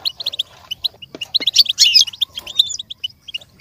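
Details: Goldfinch song for imitation training: quick series of sharp high chirps leading into a dense, buzzy twittering burst, then more evenly spaced bright notes.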